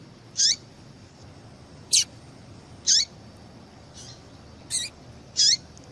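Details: Yellow-bellied seedeater female calling to stimulate male song: six short, shrill chips dropping steeply in pitch, roughly one per second, one noticeably softer, over faint hiss.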